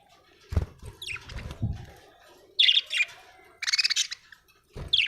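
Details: Australian budgerigar chirping in scattered high, squeaky bursts, mixed with several dull low thumps and rustles between the calls.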